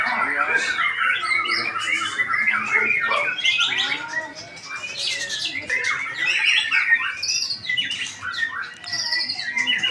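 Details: White-rumped shama pouring out a long, varied song of quick chirps, clear whistles and high sweeping notes, briefly softer midway, then resuming.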